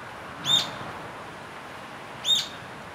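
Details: Rufous-tailed jacamar: two sharp high whistled notes, each a quick upward-flicking 'peek', about two seconds apart, over steady background hiss.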